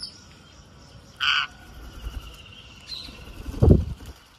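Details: Green parakeet during feeding gives a single short, harsh, buzzy squawk, followed by a few faint notes and a dull low thump.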